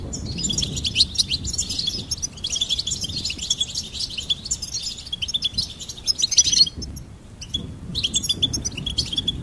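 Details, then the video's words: Continuous goldfinch twittering of rapid, jangling high notes that breaks off near six and a half seconds, then resumes in shorter chirpy bursts. "Goldfinch Singing and Song Compilation"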